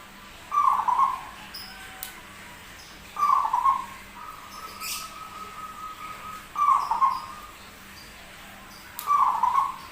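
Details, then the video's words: Unusual-voiced zebra dove, noted as rare and a keen singer, repeating short rolling coo phrases every few seconds with a long, even trailing tone between two of them and occasional sharp clicks. "PERKUTUT SUARA ANEH TAPI GACOR"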